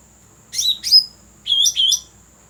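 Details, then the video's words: Cucak rante calling, used for bird luring: two pairs of bright, high chirped notes, the first pair about half a second in, the second near 1.5 seconds, with a faint constant high-pitched hiss behind. "Suara asli Cucak Rante cocok untuk pikat"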